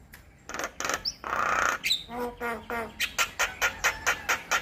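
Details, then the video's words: Javan myna tutor song for training all starling types: a harsh hissing burst, a few whistled slurs and buzzy notes, then a regular train of sharp, raspy notes about twice per second. "PAncingan Dan Masteran Jalak Kebo Buat Semua Jenis Burung Jalak"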